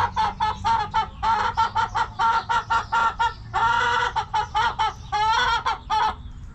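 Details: Backyard hens in the coop give a fast string of clipped, nasal clucks, broken by longer harsh drawn notes, with a steady low hum underneath.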